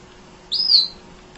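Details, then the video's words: Munia chirp recorded for tutoring other songbirds: a single drawn-out, thin, very high whistle that holds steady, then fades slightly. "Kicau Emprit Ngoceh Tak Kenal Lelah Untuk Masteran"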